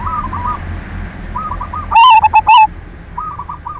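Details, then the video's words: Silver zebra dove lure song, used to stimulate other doves to sing: one loud, harmonic, rolling coo phrase lasting under a second, with softer repeated cooing phrases from other doves before and after. "Perkutut silver gacor SUARA PANCINGAN cocok buat merangsang BIRAHI BUNYI"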